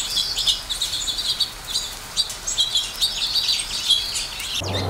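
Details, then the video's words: Sparrows chirp almost continuously in busy, overlapping high notes, like a small group calling together; a brief low thump at the end. "Sparrow Sound"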